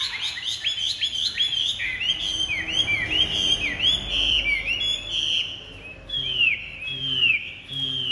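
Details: Chinese hwamei with bright white wing feathers, a big captive singer, pouring out rich, rapid whistled phrases: repeated curling slurs, some rising and some sweeping down, over a steady low background hum.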